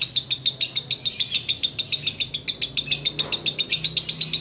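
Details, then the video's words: Rapid chattering ngekek song from a sooty-headed bulbul, sharp high notes hammered out about four per second throughout, loud and fairly even, with faint low hum underneath. "Ngekek Biang Kerok"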